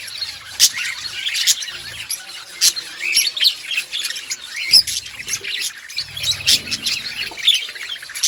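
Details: Breeding colony of budgerigars outdoors, chirping in a lively chatter of quick high notes with several loud, sharp chirps standing out.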